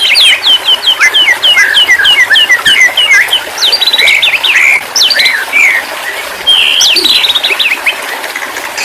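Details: White-rumped shama (murai batu), a recording used as therapy for a stressed bird that has stopped singing: loud, fast run of varied whistled and sharp chipping notes, rising and falling, continuous and rich.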